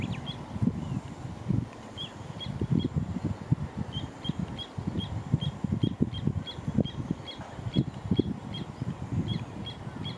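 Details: Little ringed plover calling in runs of brief piping notes, a few scattered at first, then a long quickening series of evenly spaced high whistles, with low thumping and rumbling noise underneath.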